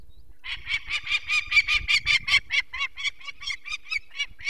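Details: Adult female Peregrine falcon at a nest in the Barycz Valley, Poland, on 2 May 2023, alarmed as people remove one of her four chicks for eye problems: a rapid, harsh, even run of about seventeen kek notes in four seconds.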